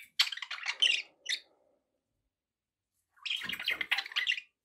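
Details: Pet budgerigars give a lively scratchy warble with squeaky notes, fall silent for about a second and a half, then return with another buzzy chattering phrase. A faint low thump is heard in the second burst.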